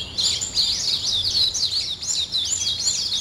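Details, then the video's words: Birds singing in the morning, a bright run of looping, up-and-down whistled chirps repeated rapidly and growing clearer toward the end, over faint low background hiss. "아침을 깨우는 새소리 2 ,Birds wake up in the morning 2"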